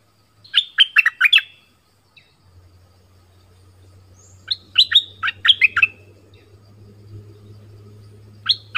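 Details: Orange-headed thrush singing a southern-style song, used to lure wild birds and train young birds: two bursts of quick whistled, slurred notes, roughly five each, separated by a pause, over a low steady hum.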